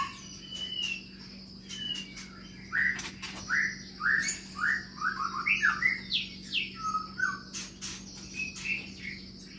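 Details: White-rumped shama in an aviary, a long-tailed bird from Medan, singing a steady run of short, clear whistled notes that step up and down, about two per second, with faint clicks in the background.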